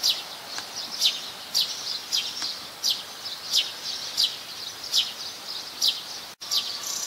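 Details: Plain-backed sparrow (Passer flaveolus), common resident, Ubon Ratchathani, Thailand, 17 January 2020, gives a steady run of bright, high chirps, about one every half second, over a soft background hiss.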